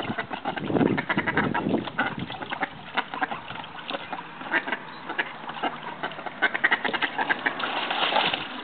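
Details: Bantam mallard call ducks in Australia, flirting and mating, producing a continuous jumble of rough, nasal quacks from several birds, over a low background rumble.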